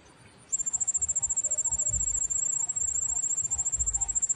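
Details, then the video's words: Hungry bar-winged prinia chicks, their parent slow to feed them, beg with a thin, very high, steady whine pulsing three to four times a second, starting abruptly, in the wild. "ANAK BURUNG PRENJAK MEONG KELAPARAN"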